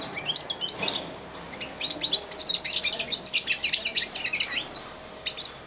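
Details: Caged four-month-old European goldfinch, fed by hand every day, babbling its early subsong: a dense stream of high, liquid twitters and buzzy trills, fairly loud and steady throughout.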